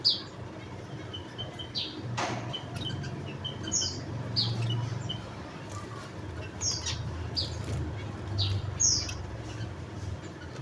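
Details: Thin, high chirps of a Javan munia scattered through the recording, with a sharp click early on and a steady low rumble beneath.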